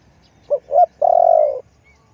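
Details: Spotted dove coo used for decoy luring: two short hoarse notes followed by one long, steady, rolling low coo, with a quiet background.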